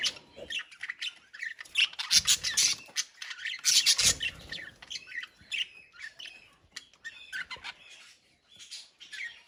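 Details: A budgerigar colony chatters with dense, high warbles, chirps and scratchy squawks.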